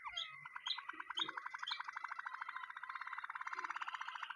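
A Waterslager canary sings a rapid, rolling trill of bubbling notes, about fifteen per second, steady in pitch and building in strength, with a few low thumps behind.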